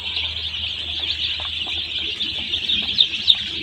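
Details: Day-old chicks crowded in a poultry farm, their peeping merging into an unbroken shrill high chorus, with two brief sharper cheeps near the end and a soft low hum in the background.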